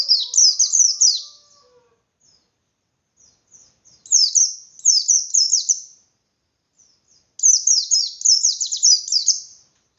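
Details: Indonesian white-eye singing a forceful 'ngalas' provocation song: three phrases of fast, high-pitched descending chirps, each lasting one to two seconds, with brief soft notes during the pauses and a faint low hum at the start.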